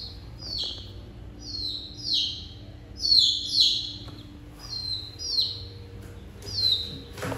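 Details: A baby chicken peeps steadily: high, thin notes sliding downward, about one per second, eight in a row, over quiet background hum.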